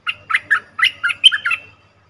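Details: Cream-vented bulbul call used to lure birds into traps, 2 November 2021: a lively string of about eight bubbly, slurred notes over a faint hum.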